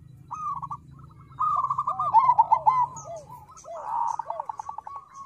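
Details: Song of a crossbred zebra dove (perkutut krosing) meant to coax other birds into singing: rolling trilled coos with arched lower notes, a louder rapid stutter midway, and a final pulsing burst over a low background hum.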